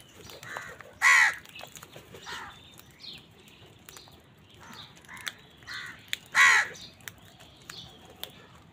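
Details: Two strong, rasping caws about five seconds apart ring out from crows fighting other birds for food, with quieter caws and light chirping filling the gaps.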